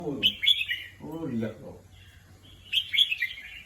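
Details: Caged red-whiskered bulbul kept as a competition songbird in Thailand, giving two short bursts of bright, warbled, chattering notes, with a man's brief spoken words in the pause between them.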